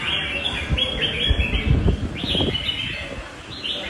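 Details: Red-whiskered bulbul, a quick-flaring fighter with a long, loud song. Clear slurred whistles, several rising sharply, come about twice a second, with soft low thumps and handling noise underneath.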